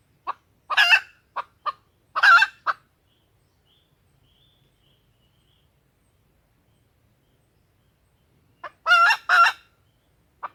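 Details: Female red junglefowl calling to lure males, clucks and two loud harsh cackles, a long silent gap, then a final double cackle.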